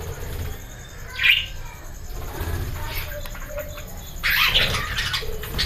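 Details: Budgerigars in a breeding colony at the start of the breeding season, with nine eggs laid, give short, sharp chirps among a low background hum.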